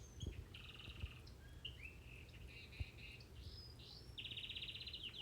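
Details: Crested Gloster canary, a pet bird, singing indoors at home: soft rolling trills and warbled slurs, ending in a sustained rapid buzzing trill, over a steady low household hum.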